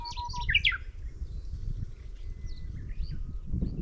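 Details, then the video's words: Middendorff's grasshopper warbler gives a brief, loud phrase of quick jerky, rattling high notes at the start, followed by faint thin whistles and heavy low wind rumble. "シマセンニュウのさえずり Chirping of Middendorff’s Grasshopper Warbler"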